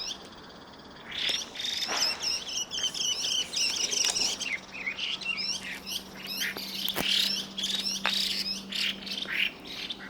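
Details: Two Chinese hwamei calling in the evening, giving harsh rasping notes and clear piping whistles: loud rapid varied phrases of high looping whistles, with a faint steady low hum in the background.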